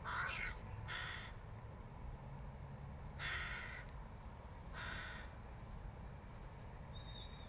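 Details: Fledgling crow begging its mother for a peanut: four harsh, hoarse, rasping calls, each about half a second long, spaced irregularly over several seconds, over a steady low background rumble.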